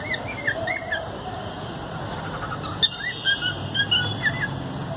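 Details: Pet cockatiels in their home: several short whistled chirps, some rising, in a quick cluster at the start and another scattered run after the midpoint, over a constant background hiss and low hum.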